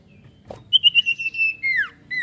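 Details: Sirtu in a provoking lure song: a rapid rolling whistle trill holding steady, then a loud whistle dropping sharply in pitch, with a clipped note at the end.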